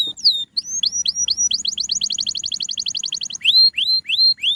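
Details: Canary song: a trill of rising whistled notes, first spaced, then a fast even run of about twenty rising notes, closing with four louder, slower upslurred whistles.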